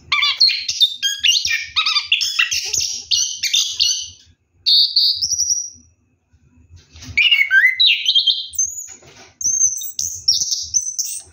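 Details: Night-bathing orange-headed thrush rolling through continuous ngeroll song: dense chattering trills, then a long upward-sliding whistle, a short silence, and a fresh burst of mimicking twitters and high clear notes.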